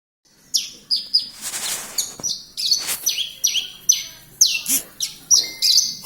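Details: Lark (branjangan) from Kediri singing a lively, varied song: sharp high chirps and downward-sweeping whistled notes in quick bursts, with short pauses between phrases.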